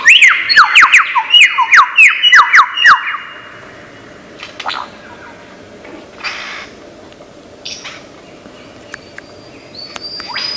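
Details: Mimicking lyrebird in Australian forest: a fast run of about a dozen sharp descending chirps over three seconds, then quiet with scattered faint calls and clicks.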